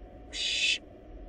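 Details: A single rasping hiss of about half a second from wild barn owl nestlings swallowing a rabbit inside a nest box, with a faint steady hum behind it.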